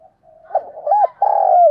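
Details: Decoy dove mid-call in thúc and gáy gọi style: quiet soft cooing swells into a rising note, then a loud sustained hoarse coo drifting downward.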